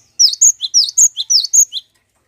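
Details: Compact run of about nine bright, high, down-slurred chirps from a cinereous tit, a lure recording for making other birds sing.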